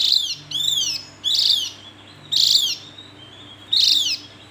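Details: Javan white-eye giving repeated loud, high downslurred calls, five notes spaced roughly a second apart, each buzzy and harmonic-rich, with a soft steady hum beneath.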